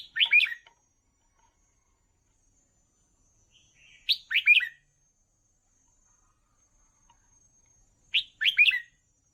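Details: Song for training young red-whiskered bulbuls. The same short, cheerful warbled phrase of three or four rapid notes repeats about every four seconds, with silence between.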